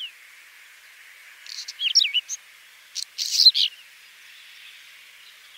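A Whinchat gives two brief, scratchy song phrases of high, quick chattering notes about a second apart, over a steady thin hiss.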